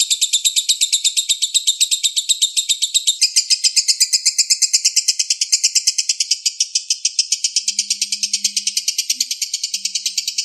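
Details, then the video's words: Lovebird of the balibu kind in a long, unbroken singing bout for training other birds: high, crackling chirps repeated very rapidly, the tone changing slightly after three seconds, with faint low hums near the end. "MASTERAN LOVE BIRD BALIBU Terbaik Sangat Mudah Di tirukan"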